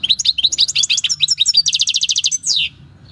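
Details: European goldfinch caught in the wild in 2018, singing its own countryside song: a quick run of varied twittering notes leading into an even buzzy rattle, ending on a drawn-out descending slurred note.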